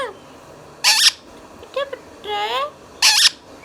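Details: Green Indian ringneck parakeet, a pet talking parrot, giving short speech-like harmonic phrases with rising and falling pitch, set between harsh high screechy bursts near the start and the end, over quiet background hiss.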